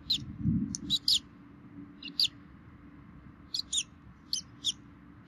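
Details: Bald eagles at a Minnesota DNR nest camera, 3 May 2016 at 11:48, with both parents feeding the chicks; high, thin chirps come in short clusters of two or three notes, with a low rumble early on.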